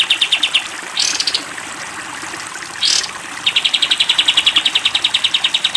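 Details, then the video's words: Rapid-fire 'tembak panjang' chips from a caged sooty-headed bulbul, recorded for training cage birds: a short burst, two soft water splashes, then a long, even stream of sharp notes. "masteran kapas tembak panjang"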